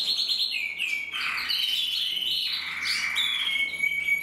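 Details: Two male red-black canaries, one intensive, one frosted, sing at once, mixing fast buzzy rolls, swooping slurs and long pure whistled notes in a lively, unbroken warble.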